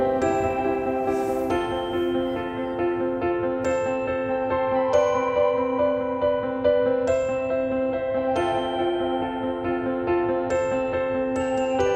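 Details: Bright bell-like chimes of mallet music ring out in sustained tones, with no animal voice heard.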